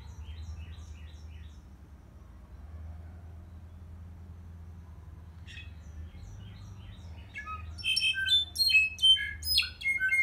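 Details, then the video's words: Brown-backed solitaire song: faint, high chirping phrases at first, then a louder, rapid jumble of bright, tinkling high notes toward the end, over a steady low background hum. "Clarin mexicano canto"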